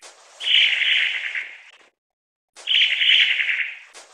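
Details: Long-tailed tit giving two buzzy, rolling trills, each about one and a half seconds long, separated by a short silence, with faint sharp clicks at their starts.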